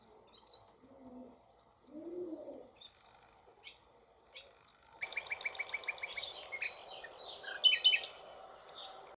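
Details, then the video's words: Barn swallows at a nest in a cowshed holding several nests, July 2024: quiet scattered sounds, then a fast series of sharp chirps repeated several times a second, mixed with thin high twittering notes. "HIRONDELLE RUSTIQUE - 28 07 2024 - NICHEE"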